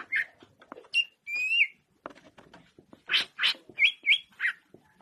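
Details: Greater green leafbird singing a varied song: short chattering bursts, clear whistled notes near the middle, and a rising whistled slur, followed by loud buzzy notes and a pair of quick bright whistles, with brief gaps between phrases.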